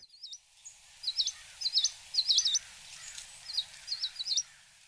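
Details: American Tree Sparrows, winter visitors in Illinois, trade high, quick two-part "see-you" twittering calls back and forth while foraging, about ten bursts in five seconds, over faint background hiss.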